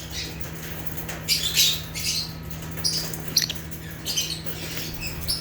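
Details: Natural chirping of rare African lovebirds, genus Agapornis: quieter scattered high squeaks and twittering notes in loose groups, set against a constant low mains-like hum.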